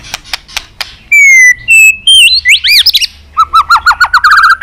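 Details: Varied fighting-provocation song of a white-rumped shama: a few sharp clicks, then loud pure whistles at steady pitches, arched up-and-down notes, and a fast run of short repeated phrases closing the passage.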